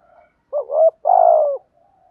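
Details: Morning coo of a spotted dove, used to provoke rival doves: one brief two-part phrase, a short rising note then a long, even, slightly falling coo, deep and mellow. Faint soft coos before and after.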